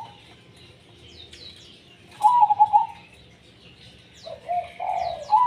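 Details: Zebra dove tumpang sari song. A long bubbling coo is followed by a slower, lower series of coos that rise into another trilled phrase. Other birds chirp faintly above.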